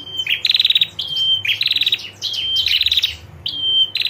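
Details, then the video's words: Female prinia ngetir call, used to make males respond: a thin, steady high whistle followed by a fast, dry ticking trill, with the pattern repeated about four times in quick succession. "PRENJAK JANTAN DIJAMIN LANGSUNG NGRESPON SUARA PRENJAK BETINA NGETIR"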